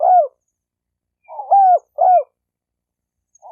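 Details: Short bout of spotted dove cooing for provoking males and females to fight: a lone soft hoot, then two firm mellow coos close together, and a faint note trailing at the end.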